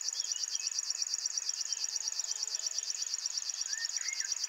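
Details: Early-morning River Warbler, a singing male at RSPB Ham Wall; steady rapid ticking reel like a cricket, pulses evenly spaced, with faint slurred notes of another bird near the end.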